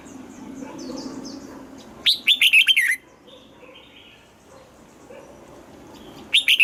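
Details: Red-whiskered bulbul kept in a cage, trained for morning singing in a double-note wild-style song; one fast, chattering whistled phrase of several notes, faint other bird chirps before and after, and the start of another phrase at the end.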